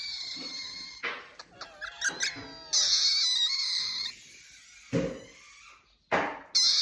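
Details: Rosella giving odd, funny calls indoors: harsh screechy bursts mixed with thin rising and falling whistles and chattering notes, broken by short pauses.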